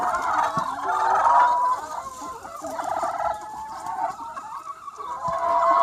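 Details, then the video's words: Free-range flock of about 200 chickens on a sunny spring day, a dense chorus of overlapping nasal clucks and drawn-out squawking calls, several loud bursts rising and falling over the seconds. "Chicken Sounds 1 Hour - Chicken Sound Effect"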